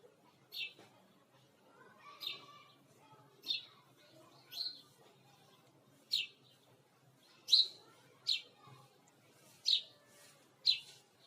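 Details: Sparrow giving sharp, bright single chirps at irregular intervals of about one to two seconds, each note brief and clipped, over a quiet background with faint lower murmuring.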